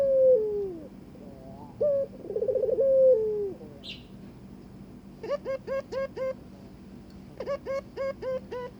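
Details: Barbary dove courting its mate gives a falling coo and one full rolled coo, then rapid strings of short hooked notes with strong overtones take over.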